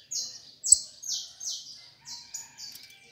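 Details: Saffron finch in fibra style, fairly quiet: a string of broad, buzzy, level-then-falling notes, six or seven in three seconds, spaced irregularly, with a soft click early on.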